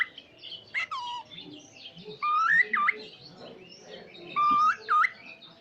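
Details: Cockatiel kept as a talking pet: a brief chirp, then two clear whistled phrases, each a level note sliding upward and then dipping and rising again, with soft background noise.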